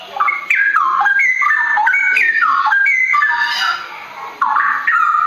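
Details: Forest straw-headed bulbul delivering its rolling ropel song, loud and rich: rapid bubbling phrases of stepped, slurred whistles, each dropping then rising again, tumbling continuously with a short quieter dip near the end.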